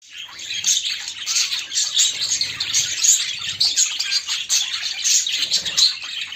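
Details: Female budgerigar courting a male, kept as a pet; dense, continuous high twittering warble with quick chirps and buzzy notes, with no pauses throughout.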